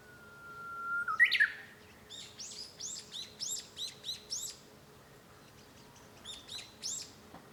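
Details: Japanese bush warbler singing on 5 May 2013, heard from a room at home: a long steady whistle ending in a sharp rising flourish, followed by a series of about ten quick, bright, repeated notes with brief pauses.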